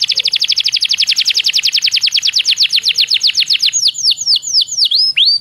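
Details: Canary lure song to get other canaries singing: a very fast trill of descending notes that gradually slows into separate, well-spaced falling whistles.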